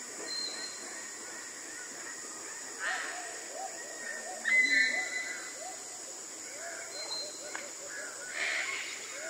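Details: Tanimbar eclectus giving three or four ear-piercing, harsh, raspy high-pitched screeches in short bursts, the loudest midway, over a steady high hiss and faint background chatter.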